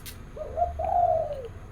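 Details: A zebra dove sings its morning 'three jook' song, with short, soft lead-in notes flowing into one long, wavering, rolling coo over a low hum.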